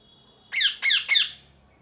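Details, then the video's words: A parrot gives three loud, harsh squawks in quick succession, each dropping slightly in pitch, with a faint steady whine in the background. "Loud Parrot Chirping | Natural Parrot Sounds | Parrot Calling Sounds"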